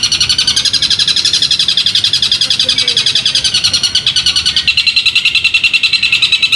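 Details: Caged competition bird, trained for singing contests, giving a loud, continuous, very rapid chattering song of pulsed high notes, repeated several times a second, steady for nearly seven seconds.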